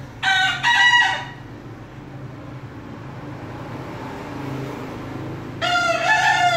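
A bekisar gives two short, bright, ringing crows separated by a few seconds, over a low rumbling background.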